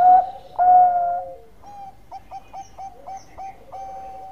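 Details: Zebra dove in full song, for luring: two strong, mellow coos open the phrase, followed by a soft, evenly spaced string of brief clipped notes.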